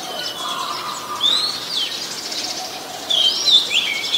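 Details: Oriental magpie-robin, Ubon Ratchathani, Thailand, January 2021: sweet upward-swooping whistles, one early and a louder burst of overlapping slurred notes near the end.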